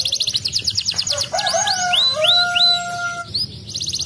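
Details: Canary song intended to stimulate idle canaries: a quick buzzy trill gives way to long steady whistled notes and arching upslurred phrases, then the trill resumes.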